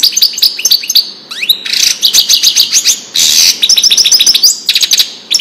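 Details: European goldfinch Widani song meant for teaching chicks; quick repeated liquid twitters, a buzzy trilled burst in the middle, and further rapid high chattering phrases.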